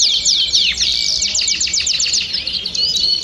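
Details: Domestic canaries singing as a flock, used to stimulate song: scratchy, densely packed rapid notes swooping up and down, with a faint continuous whistle beneath.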